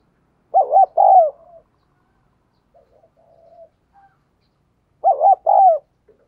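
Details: Decoy spotted dove calling to attract wild doves: two phrases of deep, mellow cooing about four seconds apart, each a quavering double note plus a falling coo, with soft murmurs in the gap.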